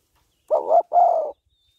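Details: Female spotted dove calling to excite a male, a cooing sequence: two low, hoarse coos in close succession, the second longer and gently falling, in a quiet setting.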